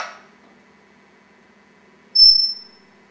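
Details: Pet African grey parrot, a Congo grey, indoors: after a short burst of speech and a long pause comes one short, high, pure whistle that ends abruptly, over a faint steady hum.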